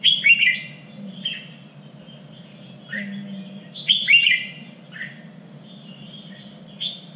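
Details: Contest-training song of a red-whiskered bulbul in the standard voice of Vietnam's three regions: loud chattering bursts followed by softer whistled notes and a short falling call, over a faint continuous hum.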